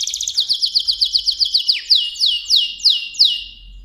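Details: Mosaic canary song made of a fast run of downslurred chirps that slows into widely spaced, ringing descending notes, about three per second by the end, in a quiet setting.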